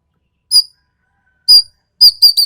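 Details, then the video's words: Sharp, harsh calls of a Sumatran ekek keling, recorded as a tutor track for training songbirds: three short bright notes with stacked overtones, one at a time and then a quick double, with silence between. "MASTERAN BURUNG EKEK KELING SUMATERA SUARA TAJAM DAN KASAR"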